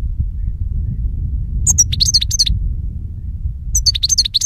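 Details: Goldfinch song used to lure birds for capture: after a quiet start, two lively phrases of rapid, liquid twittering and high slurred notes, over a soft low hum.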